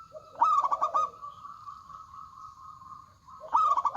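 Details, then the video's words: A local zebra dove with a big voice gives a fast pulsed phrase of clipped bright coos. A long even hum-like tone follows, then the same quick stuttering phrase starts again. "PERKUTUT LOKAL GACOR Suara Besar"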